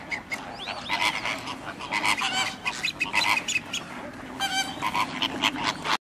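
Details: Radjah shelduck at WWT Slimbridge giving harsh, honking calls in quick bursts, with strong harmonics and several short notes per burst, recurring through the six seconds over a steady background hiss.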